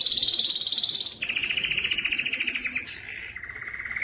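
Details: Strong canary song used to teach young canaries and prompt males to sing: a steady high trill drops into a lower buzzy rolling tour, then slides down to a softer low trill.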